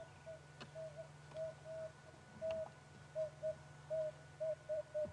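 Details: Emerald-spotted wood dove (Turtur chalcospilos) heard on an afternoon/sunset safari drive on April 28, 2016, giving a series of soft, low hoots that come closer together as the phrase goes on, over a steady engine-like hum.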